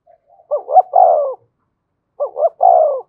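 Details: Spotted dove used as a lure to stimulate a freshly caught cage bird: two mellow coo phrases, each a short double note followed by a drawn-out falling coo, separated by a short pause.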